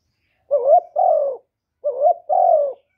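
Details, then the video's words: Spotted dove coo used to rouse male doves: two clean double coos about 1.3 seconds apart. Each has a short warbling rise followed by a longer, steady, gently falling note, with silence around them. "Cu gáy Hạp Bổi Gáy Gọi + Gù + Thúc + kèm kích bổi, chim cu đất gáy, cu cườm gáy, tiếng chim cu"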